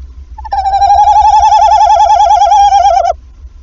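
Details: Tawny owl pair at a nest in Wassenaar on 11 February evening, after the female laid her first egg; the male calls and the female answers. One long quavering hoot of about two and a half seconds, steady pitch with rapid wobble, over a low rumble.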